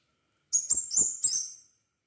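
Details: Crimson sunbird in lively song, used as a lure to prompt other birds to sing: four quick, very high, sharp chirps, the last note trailing off slightly.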